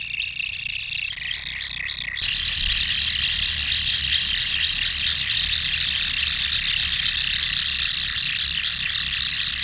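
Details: Common kingfisher nesting burrow recording: at first a few distinct high pulsed calls, then a loud unbroken buzzing chorus of rapid high notes, with low rumble underneath.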